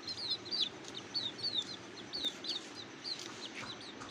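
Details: Hungry young cuckoos in the nest, begging: insistent, high, descending chirps in rapid clusters roughly once a second, loud and clear above a continuous background hiss.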